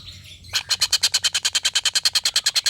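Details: Long laughing call of a collared kingfisher, a tutor recording for competition songbirds: after a short quiet start, harsh chattering notes repeat quickly and steadily.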